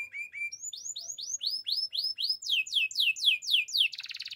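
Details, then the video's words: Russian canary song built from rapid repeated slurred whistles climbing gradually higher, about four notes per second, ending in a dense, buzzy trill. "Canary birds chirping - Russian canary song"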